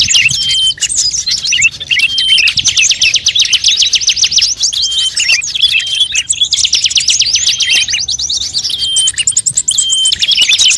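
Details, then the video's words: Mixed songbird calls played to lure birds: unbroken, loud, high-pitched chattering of many overlapping voices, rapid trills and scattered long thin whistles throughout. "suara pikat semua burung terbaru"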